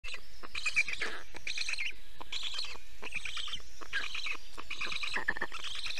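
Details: Estonian black stork (Ciconia nigra) named Karl at 5:48 am on 4 June 2021 gives an alarm call on seeing an enemy, most likely a bird of prey. Harsh, hissing rasps come in bursts roughly every second over a steady low rumble of wind or hum.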